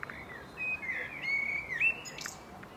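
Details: A common blackbird (Turdus merula) in a home garden in Ljubljana on 15 April 2023 sings one mellow, fluting phrase of sliding notes ending in a high, thin squeaky twitter, over a faint outdoor hush.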